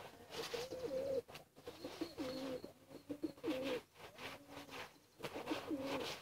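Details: Pigeon chicks pleading for food with repeated whistled squeals, each rising and falling, coming in regular bursts roughly once a second over background rustling.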